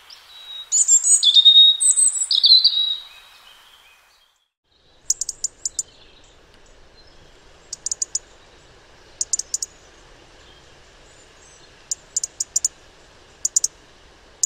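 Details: European robin singing in spring, wild: a three-second phrase of high, liquid whistles and trills, then quiet broken by clusters of very high, dry ticking clicks every second or so.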